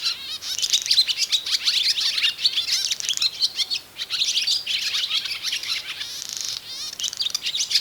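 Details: Barn swallow song, bright and loud, sung by male or female, sometimes as a duet; the male's voice attracts a female before showing her a nest site. Rapid twittering chatter with dry clicks and brief buzzy trills, continuous throughout.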